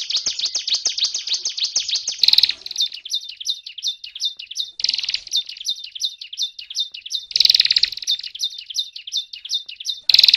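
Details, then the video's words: Continuous song of a ciblek gunung prinia: a short fast high trill, then a series of ringing, warbled phrases broken by brief bursts of harsher rattling notes. "Suara Burung Ciblek Gunung Gacor Ngebren"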